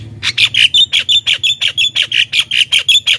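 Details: Rapid, harsh chattering from a Javan myna, used to lure wild mynas: a regular run of about fifteen loud grating notes, close to five per second, over a faint low hum.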